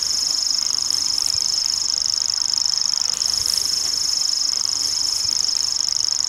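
A Common Grasshopper Warbler reels without pause, a high, dry, insect-like trill held at one steady pitch through the whole stretch.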